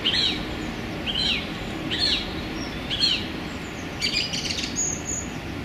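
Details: Song thrush singing in a small London park on a sunny January day: a bright phrase repeated about once a second, four similar renditions, then a busier burst of higher notes.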